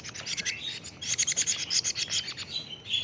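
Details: Young plaintive cuckoo, 41 days old, making a continuous quick chatter of shrill, scraping high notes, around six a second, ending in a short buzzy squeak.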